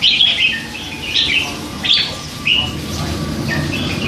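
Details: Hand-reared red-whiskered bulbul, three months old, caged: several short fluty whistled phrases, each a quick slurred warble, followed by quieter notes and background hum.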